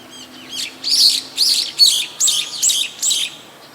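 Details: Brown-eared Bulbul calling in the evening from an electric wire: seven loud, shrill, slurred squeaky notes in quick succession, each about half a second apart, over a low background hum.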